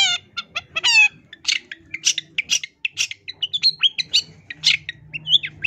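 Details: Long-tailed shrike in a 2022 training recording for caged birds, 'isian tambakan' fill: opens with stacked descending harmonic calls, then varied harsh chatters and whistles over a low hum.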